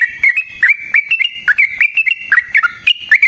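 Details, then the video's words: Sooty-headed bulbul singing a fast, continuous run of chirpy whistled notes, each with a quick upward or downward flick. The song is used as a lure and as training material for other bulbuls. "Burung TRUCUKAN GACOR Ropel Panjang Cocok untuk PANCINGAN Trucuk bahan dan MASTERAN Burung Trucukan"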